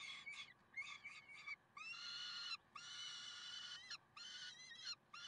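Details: Peregrine falcons in Karlsruhe, recorded 30 May 2010 at 6:56: a run of harsh, nasal, strongly ringing calls. Short notes come first, then two longer drawn-out wails of about a second each, separated by brief pauses.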